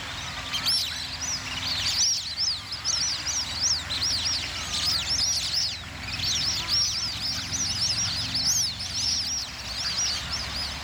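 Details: Plumed whistling ducks fighting over territory give a dense chorus of thin, high, rising-and-falling whistles, many birds calling over one another continuously, with a low background rumble.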